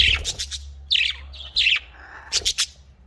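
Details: Budgerigar from a breeding setup uttering quick scratchy chirps and two longer warbled notes, then a tight triple chirp at the end, with a low background hum.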